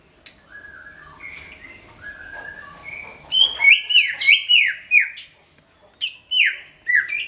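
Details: Booming greater green leafbird song meant as a lure for other birds; soft level whistles open, then a burst of loud downward-swooping notes mixed with very high sharp chips, about three per second.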